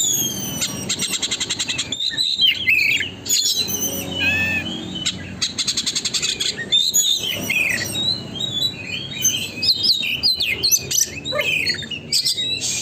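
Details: Oriental magpie-robin in nonstop song, played as a lure to get another magpie-robin to open its tail: busy stream of high whistles, slurred notes and fast repeated clicks with short gaps, rich mimic-like variety.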